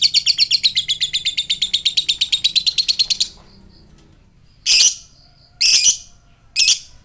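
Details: Fighter lovebird ngekek, used to draw a quick response from other lovebirds: three seconds of rapid, shrill, rattling chatter, then a pause and three separate harsh, buzzy bursts.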